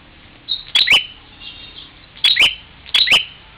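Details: Bar-winged prinia confronting its reflection in a mirror, Parigi, Ciamis, West Java, giving three sharp double chirps with quick rising sweeps, preceded by a soft high note, spaced irregularly.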